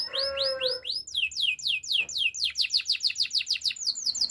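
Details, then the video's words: Spanish timbrado canary singing a training song: a low whistled note under a few upward chirps, then a long run of sharp down-slurred notes repeated about three times a second, quickening toward the end. "Canary singing for training - Spanish timbrado song"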